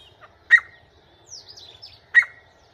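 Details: Grey francolin calling inside a house: two sharp, loud, clipped notes about one and a half seconds apart. Faint, higher chirps from other birds sound in between.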